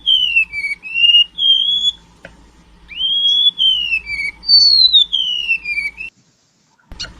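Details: Sea remetuk, or golden-bellied gerygone, singing canary-style phrases: long clear whistled notes that slide down, a rising whistle leading into level and falling tones, pausing near the end before a short sharp note.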